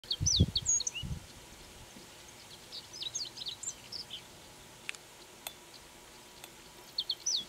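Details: In Aomori, Japan, a Japanese reed bunting (ochre-rumped bunting) keeps singing short, high, thin phrases of squeaky notes while swaying in strong wind, which rumbles low; a few sharp clicks are heard.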